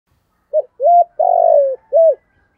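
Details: Spotted dove in the 'giọng thổ' voice style, a call used to lure wild doves: one clean phrase of four mellow hooting notes, a short note, a level note, a long falling coo, then a short note, with no other sounds.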